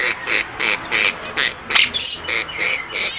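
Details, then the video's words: A monk parakeet, one of a pair in a nest with two babies, protects the nest and talks: a rapid series of harsh, raspy squawks, about three a second, with one louder, shriller burst in the middle. "Quakers in nest Hulk is talking and protecting nest"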